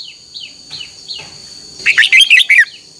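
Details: Red-whiskered bulbul singing in the morning in contest style, used as a lure recording for training: soft, faint downslurred notes, then a loud rapid phrase of warbled, bubbling whistles, over a constant high hum.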